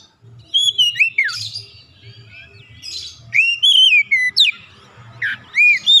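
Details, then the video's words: Untrained young oriental magpie-robin, a 'bahan' bird, immediately joining in with vigorous 'gacor' singing: clear whistled phrases sliding up and down, mixed with harsh buzzy bursts, in quick irregular runs over a low background hum. "KACER bahan langsung ikutan gacor"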